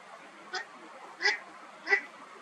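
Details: An eastern spot-billed duck, swimming along, gives three short, nasal quacks spaced well apart over a couple of seconds against a faint hiss; possibly a contact call, sounding like neither song nor ordinary call.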